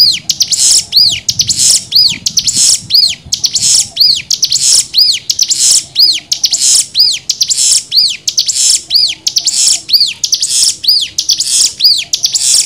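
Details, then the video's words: Nembak-style cigun song for tutoring young birds. A long, even run of arched whistled notes alternates with hissy high bursts, repeating roughly once a second with no other birds heard. "MASTERAN CIGUN NEMBAK 6 VARIASI"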